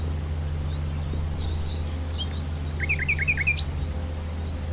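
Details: Common nightingale in the wild: soft scattered notes, then a short burst of five or six quick rising whistles ending in a higher upslurred note, against a steady low hum.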